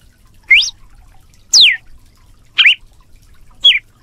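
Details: Red-cowled cardinal in canto de açoite song: four loud, separate slurred whistles, some rising and some falling steeply, spaced about one second apart over a quiet background.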